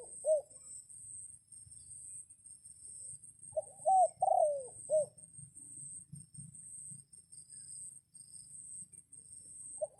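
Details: A red junglefowl rooster crows to attract wild birds in the rain: one complete four-syllable crow with a drawn-out falling note, flanked by fragments of crows at the start and end, over faint low rumbling.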